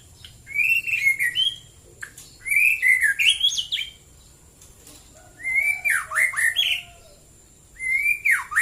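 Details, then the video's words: A white-rumped shama gives its morning song near Prambanan, Central Java: four distinct phrases of rising whistles ending in downward swoops and chatter, separated by pauses of about a second. "KICAU BURUNG MURAI BATU DI PAGI HARI"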